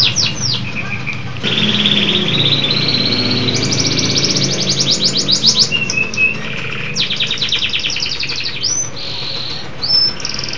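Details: Vigorous song of a local canary: long buzzy rolls, fast rattling trills and short whistled notes, with a faint low tonal background.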